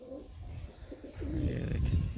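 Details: Domestic pigeon, recovered from illness and now healthy, gives low, throaty coos with a soft rolling quality among pigeons in the sun at a loft, over a muffled background of rumbling noise.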